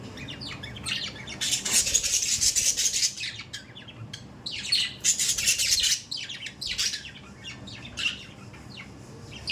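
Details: Pet budgies produce loud spells of harsh, hissing squawks alternating with quicker, thinner chirps and rasping notes, irregular and continuous.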